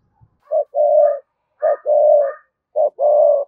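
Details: Spotted dove used as a decoy, calling in the morning in the 'hai hậu đôi' style. Three paired phrases: a short coo followed by a longer, steady, hollow coo, repeated about once a second.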